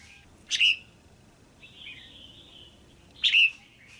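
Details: Red-whiskered bulbul female giving pairing calls to excite a male: two loud slurred chirps about three seconds apart, separated by a soft, drawn-out warbling phrase.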